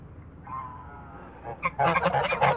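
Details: One Toulouse goose in a backyard starts with a drawn-out, wavering nasal note, then breaks into a loud, rapid string of harsh honks.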